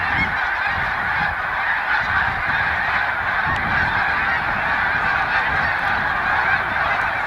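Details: Massed honking from large Snow Goose flocks at a spring migration rest stop on Cayuga Lake, New York, 20 March 2021, steady and overlapping without pause, with faint low rumble beneath.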